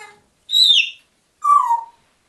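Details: African grey parrot talking to two pet dogs: two short, clear whistled vocal phrases, the first high and falling, the second lower and falling, separated by a brief pause, followed by a person calling a dog.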